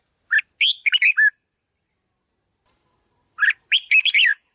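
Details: Red-whiskered bulbul delivering two lively phrases three seconds apart, each opening with a brief note followed by four or five quick, sweet warbled whistles, sung to stir up decoy birds.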